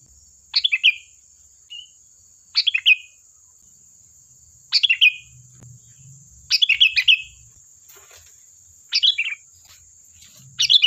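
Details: Sooty-headed bulbul song, used as a lure to draw other bulbuls into replying: short, bubbly, warbled phrases falling slightly in pitch, repeated about every two seconds, over a faint constant high whine.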